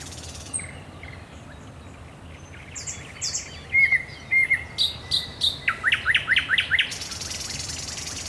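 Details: Nocturnal thrush nightingale song at the Raszyn Ponds, 10 May 2021: quiet high whistles and short notes building into a loud series of rapid, evenly repeated sharp chooks ending in a dry buzzing rattle.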